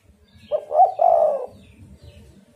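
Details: Spotted dove calling to lure other doves to answer; one phrase of a short note, a quick upward note and a long falling coo, with low rumbling background noise.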